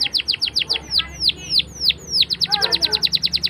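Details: Young canaries learning to sing are the audience for this canary song: slow downward-swept chirps speeding into a quick, regular trill of high notes, with a faint low hum behind.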